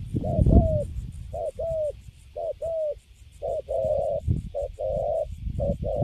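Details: Caged spotted dove of the Cấn Sấm type, caught from the wild, with good cooing: clusters of short and long mid-pitched coo notes separated by brief gaps, over low-frequency rumble and some bumping noises.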